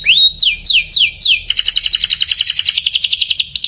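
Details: Canary (Serinus canaria) song, used to communicate and attract a mate: about four falling whistled slurs, each about a quarter-second apart, then a fast, bright trill of paired notes.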